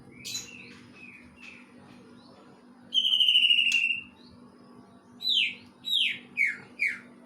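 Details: Greater green leafbird imitating a kingfisher: faint whistles, then a loud rattling whistle of about a second, then four sharp downslurred notes in quick series, low hum behind.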